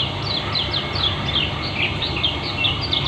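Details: Lombok white-eye (kecial kuning) twittering fast and dense, ngeriwik style: a string of sharp, high, slurred chirps about every fifth of a second, set against a steady low background drone.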